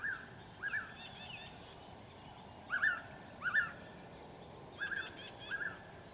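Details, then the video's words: Blue-winged pitta repeating its short double whistle, clear two-note calls given in loose pairs with pauses of a second or more between, against a constant high-pitched buzzing background. "Suara Burung Paok Sayap Biru"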